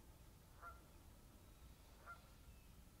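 Egyptian goose giving two short, nasal honks about a second and a half apart, over a steady low rumble of wind.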